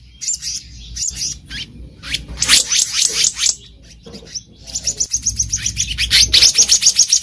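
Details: Wild black-naped monarch, recorded in nature for use as a trapping lure: quick high rising notes in loose runs, partly mixed with other scratchy chirps and brief pauses.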